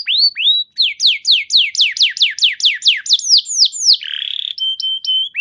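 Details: Canary song used as a lure to get other canaries singing: rising slurs, then a steady series of bright descending whistled sweeps, ending with a harsh buzzy note and flat clipped whistles.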